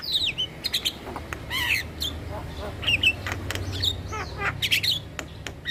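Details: Javan myna song meant to draw in mynas and starlings: buzzy squawks mixed with quick falling whistles and scattered clicks over a steady low rumble.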